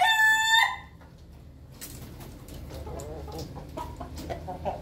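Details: Ayam Ketawa chickens eating together in their coop; the end of a clear, high harmonic crow note holds briefly, then gives way to faint clucks and pecking noises.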